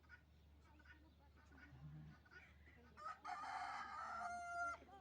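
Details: Rooster crowing at a farm where many chickens are kept outside: one long, loud, strained crow lasting over a second after quieter background clucking, with people talking nearby.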